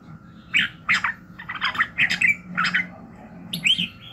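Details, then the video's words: In the morning a red-whiskered bulbul sings short, mellow warbled notes about two per second, ending with a higher clear whistle that rises and falls, against a faint low hum. "luyện giọng Chào mào buổi sáng kích lửa hiệu quả"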